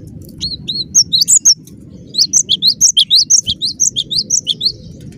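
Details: Cinereous tit singing energetically: a few short high notes, then a long, fast string of sharp, bright whistles repeated evenly for about three seconds, low hum in the background.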